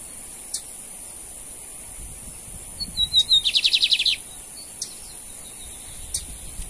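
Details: Lined seedeater (bigodinho) male singing in a contest with a rival male, Brazil: faint high whistles then a burst of rapid buzzy repeated notes, with a few sharp clicks before and after.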